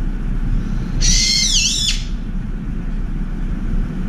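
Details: An angry brown-eared bulbul at a window feeder gives a single loud, shrill, screeching call lasting about a second, dipping in pitch at the end, in a shouting attack to drive off a turtle dove, over distant traffic rumble.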